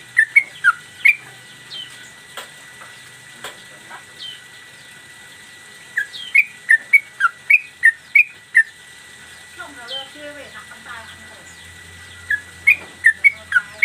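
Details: Yellow-vented bulbul kept in a cage, a master recording for training birds in the mbandul Garuda style: scattered bursts of quick whistled notes separated by pauses, a brief twittering run midway and a faint low hum.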